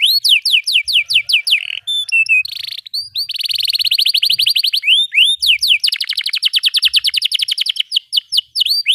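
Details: Canary singing a long excited song with close rolling trills, played to teach young canaries; rapid descending sweeps, a brief buzz, then extended rattling rolls repeated many times per second.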